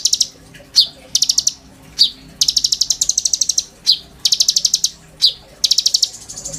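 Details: High, rattling song of a caged oriental magpie-robin used to tutor white-rumped shamas: short buzzy bursts of rapid clicks repeated about every second, broken by single sharp chips.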